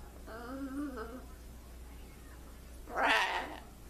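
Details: Talking blue-and-gold macaw kept as a trained pet produces a wavering, voice-like tonal phrase with rising and falling pitch, then, after a pause, a short, loud, harsh squawk.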